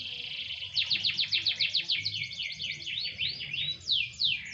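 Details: Canary singing while set out for light sunbathing: rapid series of descending whistled sweeps, about four per second, then rolling warbles and higher slurred notes, all high-pitched and continuous.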